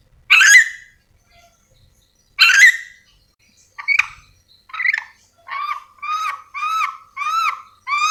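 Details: Yellow-and-green lorikeet of Sulawesi calling: two loud harsh screeches, then a run of shorter, cleaner upslurred squeaky notes repeated rapidly, roughly every half second, toward the end.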